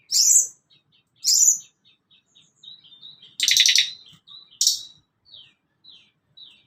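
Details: Sunda Robin song used to coach caged birds: two loud high buzzy notes, a series of soft thin whistles, a dense rattling burst, then falling slurred whistles repeated.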